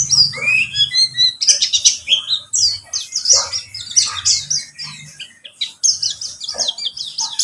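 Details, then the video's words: Pleci (white-eye) in rapid high twittering song, quick chirps and slurred whistles tumbling together with brief pauses, a faint low hum beneath. "Pancingan pleci buxtomi agar bunyi"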